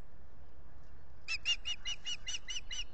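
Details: Dawn mating of an osprey pair at their Salt Point nest, 9 April 2021, recorded by nest camera: a quick series of about nine shrill, chirping whistles begins after a second of low hum and continues steadily.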